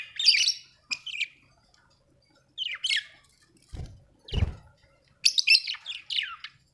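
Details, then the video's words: Budgie chirping in short squawky bursts separated by silences, with two low thumping knocks midway before a final burst of warbled notes. "happy budgie chirping sound"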